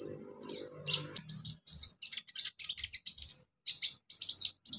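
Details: Olive-backed sunbird in the wild in its natural habitat, delivering a lively run of very high, sharp chirps and buzzy trilled notes in irregular bursts, with faint low background noise at the start.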